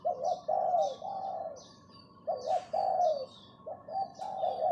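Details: Spotted dove decoy bird calling to lure: rolling, hoarse coos in linked phrases, a quiet pause, then more coos, with light high chirps and a brief rustle.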